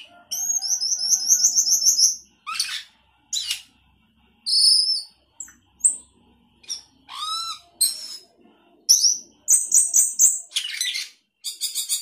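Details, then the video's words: Energetic 'gacor isian' song of a sooty-headed bulbul: long high chirping trills, buzzy bursts, rising and falling whistles, and quick chattering runs, varied phrase after phrase over twelve seconds. "Cucak keling gacor isian"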